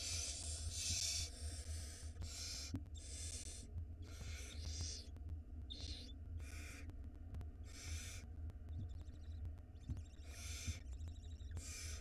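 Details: Small barn owl nestling in a live nest cam in Israel, 2022, swallowing a mouse whole; harsh, breathy hissing screeches in bursts about a second long, repeated irregularly, over a constant low mechanical hum.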